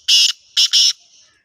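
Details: Female grey francolin calling: three loud, shrill, harsh notes, the first longer, then two quick ones close together, with a quiet background.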